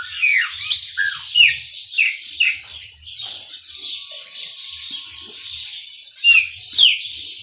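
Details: Maranhãozinho-style song of a chopi blackbird, made of bright descending whistled slurs and chirps given in bursts, with a softer twittering stretch in the middle and a faint low hum in the background.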